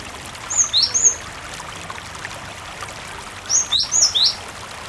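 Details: Cinereous tit song, used as a lure to make other tits answer: two short phrases, each of three to four high, thin, slurred chirps, separated by a pause filled with gentle flowing water.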